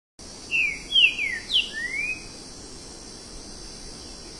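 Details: Green-winged saltator song from Brazil; a short phrase of four or five clear whistled slurred notes, some falling, the last rising, over steady hiss.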